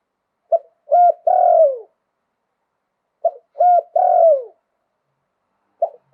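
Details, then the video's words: Spotted dove from Thailand, 'liu tan' style song with a wild voice: two full phrases of a short note, a rolling coo and a long downslurred coo, repeated about three seconds apart, then the start of another. "หลิ่วตัน มงคล ขันโยนเพราะๆเสียงป่า"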